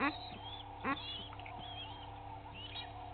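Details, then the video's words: At a South African waterhole in Djuma Game Reserve, Sabi Sand, two Egyptian goose families fight at dawn, 06:01, 18 April 2019: two loud, harsh honks open the recording, followed by thin whistled bird calls and a low background hum. "Two Egyptian Goose families fighting"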